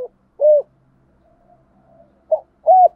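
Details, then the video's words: Spotted dove acting as a lure bird, cooing thúc gù style: two short arched coos separated by a silence of almost two seconds, low-pitched and clean. "chim cu mồi thúc gù đủ bài"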